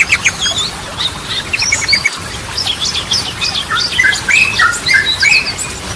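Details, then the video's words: Yellow-vented bulbul delivering lively song, a lure for stalled or stressed bulbuls; dense jumble of high chirps, squeaky slurs and short trills, continuous throughout. "Ragam Suara Burung Trucukan || Goklikan, Ropelan, Garudaan Cocok Buat Pancingan"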